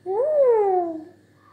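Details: African grey parrot giving one clear whistle. It rises quickly, then glides slowly downward and fades over about a second, against a faint low indoor hum.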